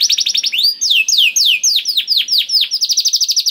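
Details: Canary singing as a lure to get a quiet bird started: rapid trill opens, then a series of slower, clear, descending slurred whistles, closing with another quick rattling trill.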